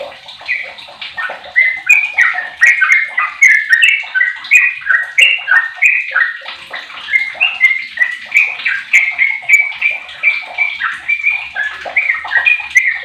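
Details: Sooty-headed bulbul, a 15-year-old bird kept as a lure to make other bulbuls sing: a long, dense, lively chatter of short slurred and bubbling notes, rising and falling, packed several per second and overlapping, as if more than one bird.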